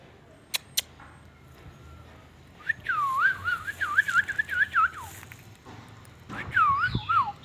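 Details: A green ring-necked parakeet talking: a two-second run of wavy, warbling tonal notes, a pause, then another short wavering phrase. Two sharp clicks sound early on.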